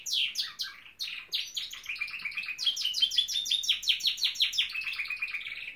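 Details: A Norwich canary sings a long even trill of rapidly repeated downslurred notes after a few opening chirps, the phrase rolling on steadily to the end.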